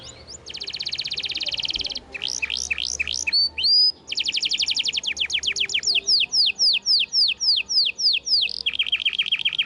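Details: Canary singing vigorously, used as song-filling material for silent canaries: a dense high trill, then sharp downward sweeps, brief whistles, a chain of falling notes about four per second, and a closing lower buzzy roll.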